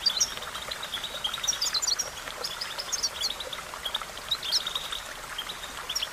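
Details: Goldfinch song for training: lively groups of sharp, high chirps and liquid twitters separated by brief pauses, with a hissing backdrop.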